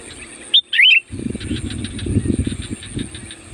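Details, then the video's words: Loud sooty-headed bulbul (kutilang) song meant to call wild bulbuls: a single quick warbled whistle phrase, then low rumbling background noise and faint rhythmic chirring. "SUARA BURUNG CUKUP AMPUH UNTUK PANGGILAN KUTILANG LIAR"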